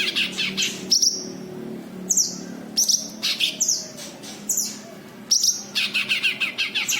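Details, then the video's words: Cucak kinoi white-eye used as a lure for other kinoi gives bright, high, downslurred chirps in quick series, with clusters of buzzy trilled notes at the start and end against a soft low hum. "Suara Burung Cucak Kinoi, buat pancingan Kinoi bahan"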